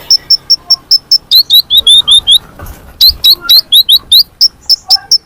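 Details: Sunbird calls played as a lure for birds: steady stream of sharp, high chips about twice a second, switching between two pitches, with a faint background hiss.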